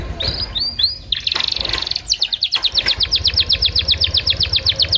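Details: Canary song intended to coax other canaries into singing: a few upswept whistles and a brief buzzy rattle, followed by a steady run of crisp, repeated high chirps, over a faint low hum.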